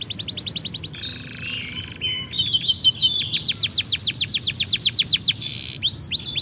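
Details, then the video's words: Canary song for training young birds: quick trills of high repeated notes broken by buzzy rolls, then a long string of sweeping chips repeated several times a second, ending in whistled slurs. "Kumpulan Video Burung Kenari Gacor"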